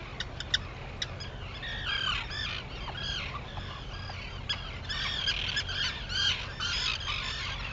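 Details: Arctic terns calling at sunrise, Seal Island, Maine, 11 June 2018: a few sharp clicks open, then overlapping harsh, screechy calls from many birds build through the recording against a constant low rumble.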